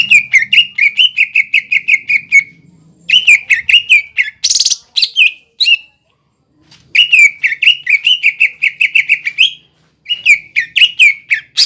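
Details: Cucak ijo lure song intended to get young birds singing: long rapid trills of repeated whistled notes, roughly five per second, in bursts separated by brief silences, with a faint low hum early on.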